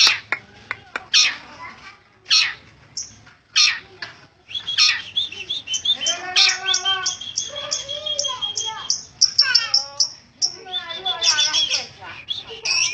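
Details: Long-tailed shrike singing persistently, a long varied medley of harsh notes, rapid chattering phrases and clear whistled strands, with brief pauses between bursts.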